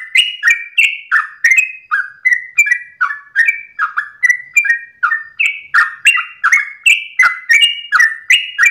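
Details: Sooty-headed bulbul at dawn in long rapid-fire ropelan singing: a continuous run of short rich whistled notes, each dropping or stepping between two pitches, about three per second with no pauses, clean background.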